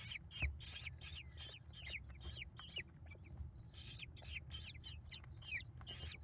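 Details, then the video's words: American kestrel chicks, five in a nest, begging as their mother feeds them in late May: bursts of high chittering notes with downward-slurred squeals, two main volleys separated by a quieter gap, faint low hum beneath. "Mom faces the mob! American Kestrels."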